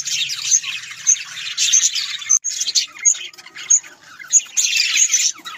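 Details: Pet budgerigars, called Australian parrots, keep up bursts of high twittering warble broken by short pauses, with sharp clear chirps repeated roughly every half second.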